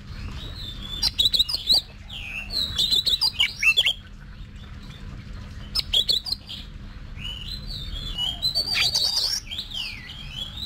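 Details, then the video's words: Oriental magpie-robin kept as a cage bird and trained to sing in contests, delivering bursts of varied whistles, rising and falling slurs and harsh scratchy notes in separate phrases, with a constant low background hum. "Luyện Giọng Cho Chòe Than Hót Đấu"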